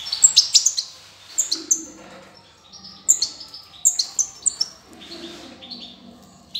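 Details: Young European goldfinch just out of the nest, 18 June 2020: high, thin chirps given in quick bursts of two to four notes, with short pauses between bursts and faint low background hum.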